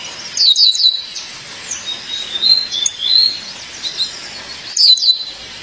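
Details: Calling female violaceous euphonia seeking her mate: clusters of high, sharp chirps, softer thin whistled notes between them, and another chirp burst near the end.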